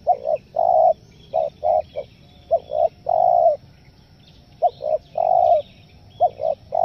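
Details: Spotted dove call meant for luring wild doves: hoarse cooing phrases of two or three short notes ending in one longer, drawn-out coo, each phrase repeated about every two seconds, with faint chirps of other small birds in the background.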